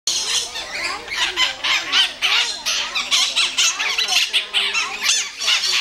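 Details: A pair of white-eyed parakeets squabbling in the Iguaçu bird park: dense, harsh, grating squawks in rapid overlapping bursts, loud and almost continuous, with faint lower voices beneath.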